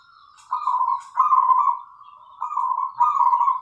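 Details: Local zebra dove with a clear 'crystal' voice, singing as a lure to stimulate other doves to sing: low, mellow rolling coos held steadily at one pitch, delivered in four slurred phrases separated by short pauses.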